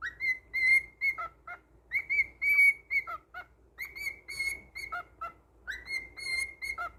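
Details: Tame male cockatiel performing a whistled tune: sustained level high whistles broken by short dipping notes, repeated in phrases roughly every two seconds, with faint low room hum behind.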